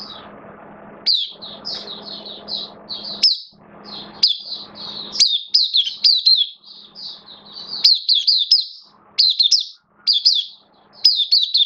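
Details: Hobby-kept oriental white-eye in a cage, singing openly on 11 September 2022 with slightly lowered form: nearly continuous high chirps and twittering phrases, with low murmuring noise and a steady hum in the background early on.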